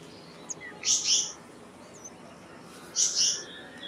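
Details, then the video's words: Black-naped monarch giving two loud, harsh, rasping high-pitched calls about two seconds apart, each a short double burst, with faint thin chips between and quiet background. "Black-naped Monarch Song! Black-naped Monarch Call! Black-naped Monarch Sound"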